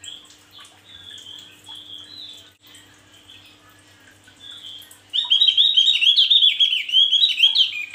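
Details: Male Javan grey-throated white-eye in full song. Sparse, soft high whistled phrases open, then after five seconds a loud, fast, continuous warble of jumbled twittering notes runs to the end over a faint constant hum.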